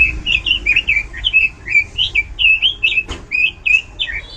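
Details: Loud, varied robin song delivered steadily: a running string of bright whistled trills and slurred notes, each burst a fraction of a second long. A single sharp click sounds about two-thirds through.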